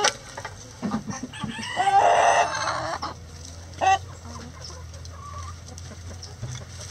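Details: Backyard chickens at their everyday activities; a loud, harsh drawn-out squawk peaks early, followed by scattered clucks and a brief sharp cackle, then quieter low droning background.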